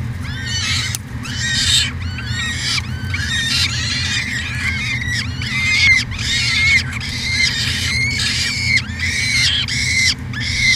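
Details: Peregrine falcons at a University of Alberta nest cam in Edmonton, Canada, 2017, calling nonstop: dense, overlapping rasping screeches rising and falling, several voices at once, over a steady low drone.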